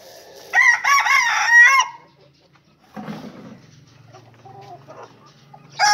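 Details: Rooster crowing: a loud, strident cock-a-doodle-doo of several wavering, rising-and-falling syllables lasting about one and a half seconds, followed by softer low clucks and murmurs, and the start of another loud call at the end.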